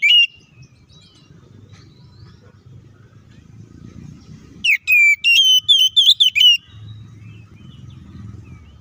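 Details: White-rumped shama, kacer, singing a fighting song meant to provoke rival shamas and rouse them; one brief whistled note, then a burst of rapid, clear whistled phrases near the middle, separated by quiet stretches with low background hum.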